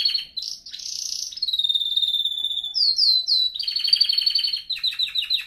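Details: Canary song used for training canaries to sing: varied tours of rapid trills near high pitch, a long steady whistled note, a run of quick descending slurred notes, then fast buzzy rolls.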